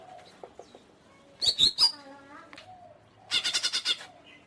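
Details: Song of a greater green leafbird: a short group of sharp ringing notes with whistled slurs, a pause of soft notes, then a fast run of about six loud scratchy chips.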